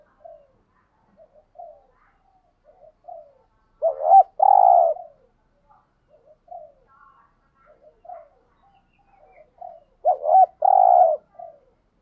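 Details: Spotted dove giving a full call set for stimulating other doves, including thúc gù, gáy gọi and đảo bài styles: soft short murmured notes between two loud phrases, each a hooped double coo and a long steady coo.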